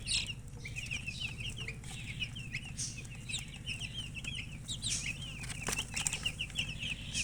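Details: Baby chickens chirping continuously, a flock of thin high peeps sliding up and down in quick succession, over a low droning hum with a few sharp knocks.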